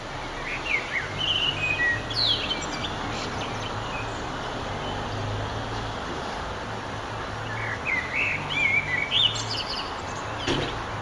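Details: A Eurasian blackbird sings at sunset on 9 June 2011: two mellow fluted phrases, each ending in a high squeaky twitter, several seconds apart over a steady background rumble.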